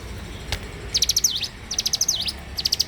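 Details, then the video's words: Bar-winged prinia singing in the morning: after a single click, three bursts of rapid high ticks, each finished with a quick V-shaped slurred sweep. "suara alam cigun gacor dipagi hari"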